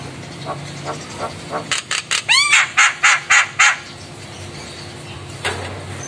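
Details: Javan myna, a lively singer, answering other mynas: soft spaced notes build into a run of loud, harsh, evenly repeated squawks with a whistled upslur, then quieter calls.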